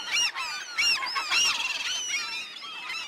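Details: Several gulls calling together, loud nasal squealing cries with bending pitch, about two a second, overlapping into a busy, clamorous chorus.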